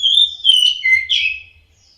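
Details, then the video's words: Orange-headed thrush song for training caged birds to sing: a short phrase of sustained whistles stepping downward, then a rising-falling flourish, clean with only slight low hum. "TERAPI SUARA BURUNG ANIS MERAH DIJAMIN NYAUT DAN GACOR...."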